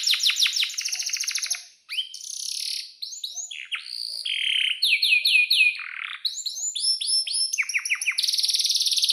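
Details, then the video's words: Canary singing loud and continuous in a varied song: rapid trills of descending notes, buzzy rolls and sharp repeated chirps, phrases switching every second or so, on a clean background. "SUARA BURUNG || Kenari GACOR PANJANG"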